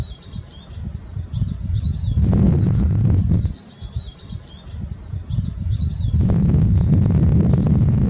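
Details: Eurasian siskin twittering in bursts of high, squeaky, quickly varied notes, with a short gap before the song resumes, set against loud bouts of low rumbling noise that come and go.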